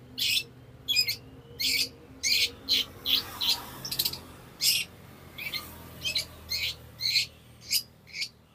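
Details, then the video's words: Long-tailed shrike song used as a master recording to train other birds: harsh, buzzy, broadband rasping notes repeated irregularly, roughly one and a half per second, over a low steady background hum. "CENDET GACOR UNTUK MASTERAN dan PANCINGAN"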